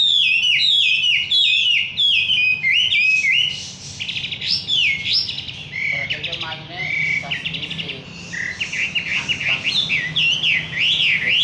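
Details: Wambi bird in lively song, pouring out fast repeated chirps and zigzagging whistled phrases that rise and fall, with a few rattling trills, all without pause over a faint low hum.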